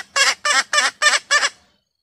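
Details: Wild female red junglefowl giving five loud, hoarse, honking notes spaced about a third of a second apart, then silence.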